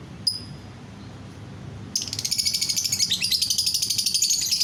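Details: After one lone chirp, a lovebird breaks into fast, pulsing, shrill chattering song of rapidly repeated high notes, aimed at getting other lovebirds singing too.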